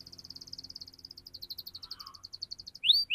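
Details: Canary delivering a soft, fast pulsing trill in 'ngerol' style to encourage young canaries to sing, ending in a loud rising whistled note.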